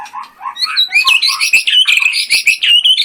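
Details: White-rumped shama kept as a contest bird, delivering a dense, high-pitched song of rapid chirps and bright whistled trills in a continuous stream.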